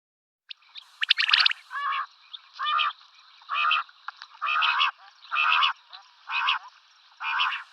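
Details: Pet common quail singing at sunrise: after a burst of mixed chatter, a steady run of short, rich, buzzy phrases repeats roughly every 0.8 seconds, with a faint thin tone running steadily underneath.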